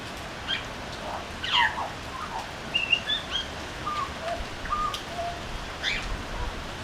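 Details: Butcherbird singing on a veranda: scattered clear whistled notes at varied pitches, some short and level, some sliding, with brief sharp chirps between them over a steady background hiss.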